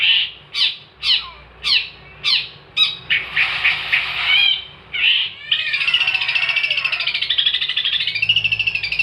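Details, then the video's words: Long-tailed shrike (cendet) singing vigorously in 'gacor' style, used as a tutor recording for songbirds: a run of harsh, sharply falling notes roughly every half second, then a dense, continuous, high scratchy warble. "kicauan cendet gacor"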